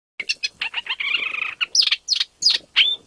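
An Isabelline shrike gives a harsh, rasping chatter of quick notes, then three or four sharp, high chirps about half a second apart.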